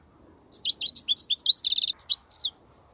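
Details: A short burst of European goldfinch song for teaching chicks: quick liquid twitters with a dense buzzy trill in the middle and a final slurred note, after half a second of quiet.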